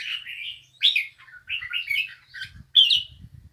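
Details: Bulbul singing: a run of short, bright warbled phrases, rising and falling, separated by brief pauses, with faint low rustling beneath.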